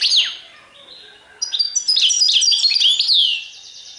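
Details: Goldfinch song in the Serfati Tiwawati style: an opening sharp downward note, a short pause, then lively high twittering of quick slurred and tinkling notes, repeated several times a second.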